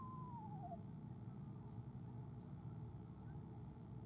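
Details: An Eastern screech owl trills softly when its mate arrives, owl cam, 17 February 2015; a brief quavering trill dropping in pitch opens the recording, followed by only low humming noise.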